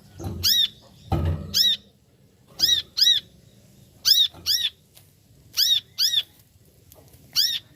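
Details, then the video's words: Brown-throated sunbird giving bright, arched chirps, mostly in paired bursts about half a second apart and repeated every second or so, about nine notes in all, with a low thump near the start. "Suara Panggilan Burung Kolibri Kelapa"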